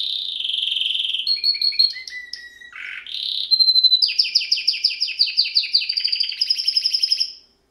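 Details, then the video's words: A canary's varied song: a sustained buzzy note, then short whistled phrases shifting in pitch and a low dipping whistle, before a long run of rapid, regularly repeated downslurred notes that stop abruptly. "Canary bird Singing"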